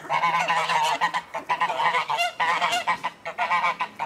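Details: Geese let out of their house in the morning call joyfully in a steady, crowded stream of nasal honks, several overlapping at once, with a low hum running underneath.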